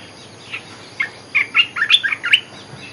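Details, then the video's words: Olive-winged bulbul giving a quick run of bubbly, liquid chirps, a few scattered notes leading into a busy burst of warbled phrases against a faint hiss. "Suara pikat merbah belukar gacor"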